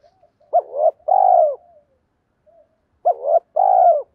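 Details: Spotted dove luring coo, two phrases about three seconds apart, each a short rising note running into a long, slightly rough falling coo.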